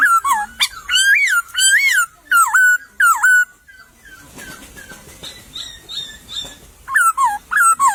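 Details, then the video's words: Repeated loud, bouncing whistled phrases from a laughingthrush in bamboo thicket in the wild, a quieter pause with faint chirps, then the phrases resume. "Burung POKSAY berkicau di semak bambu"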